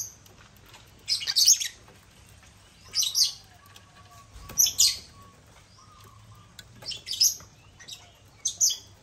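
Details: Captive African lovebirds (Agapornis) feeding from a millet crane toy: repeated bursts of high, shrill chattering chirps every two seconds or so, with a faint low hum behind.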